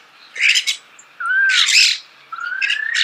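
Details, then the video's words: Starling heard up close in a natural setting: a harsh raspy burst, a smooth downslurred whistle merging into scratchy noise, then a long rising buzzy whistle. "The song of the starling"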